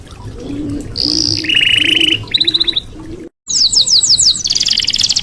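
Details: Red canary delivering buzzy rolls and quick pulsed trills, a brief break, then very high, fast rattling trills; soft low pulsing sounds in the background.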